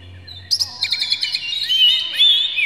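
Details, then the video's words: Excited Oriental magpie-robin with tail open, its varied song meant to goad rival magpie-robins into singing; after a brief quiet start, sharp chirps burst out, followed by sweeping warbled whistles. "dijamin kacer langsung ngamuk2 dengar kacer ini bongkar emosi buka ekor ngobra full isian"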